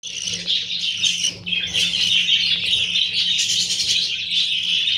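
Budgerigar chicks chattering nonstop in a dense, high scratchy twitter with buzzy peeps, many birds calling at once over a faint low hum.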